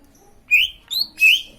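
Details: Green leafbird song meant to draw other leafbirds into singing: three clear, high whistled notes in quick succession, each slurring up then down, over a quiet background.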